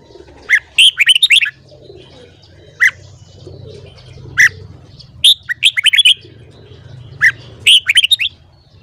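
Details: Red-whiskered bulbul singing in the morning, recorded for song training: several lively phrases of rapid, fluty whistled notes mixed with isolated single calls, spread across the recording over faint low background rumble.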